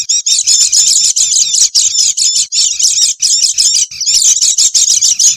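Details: Lure recording of Oriental white-eye meant to draw in wild birds: shrill chattering in short rhythmic bursts, roughly four to five per second, sharp and bright throughout.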